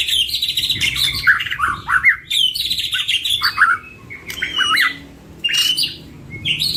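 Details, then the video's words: Two caged white-rumped shamas sing bursts of harsh chatter mixed with sliding whistles, used as a lure to train songbirds; short phrases are separated by brief quiet gaps. "Duo GACOR !! Burung MURAI BATU Full isian MASTERAN PANCINGAN"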